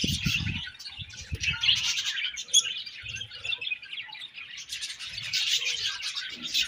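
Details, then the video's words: Budgerigars chirping: a dense, unbroken chatter of short, high, warbled chirps and squeaks running through the whole stretch, with soft low thumps near the start and again around three and five seconds. "Budgies Sweet Chirping Sounds"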